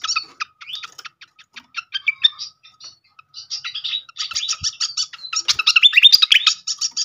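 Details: Malaysian pied fantail (srikatan kipas) lure sound to draw a singing reply: rapid ticking high chirps, a brief pause, then louder tumbling squeaky whistles and sweeps building toward the end.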